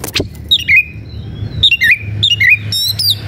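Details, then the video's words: Oriental magpie-robin, fired up and looking for a rival to fight, repeats a short whistled phrase that drops from high to lower, wavering notes. The phrase comes three or four times over a faint low rumble. "Suara kacer gocor dan emosi cari lawan tarung"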